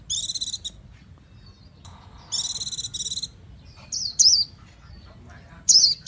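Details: Japanese white-eye alternating short buzzy rattles with brief high, sharp twittering notes, separated by gaps of near silence and faint low hum.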